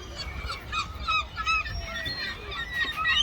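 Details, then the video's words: Seagulls fighting over food, giving overlapping harsh, nasal squawking calls with bending pitch, several birds calling at once against a low background rumble. "Seagulls Fighting Over Food and Making Noises"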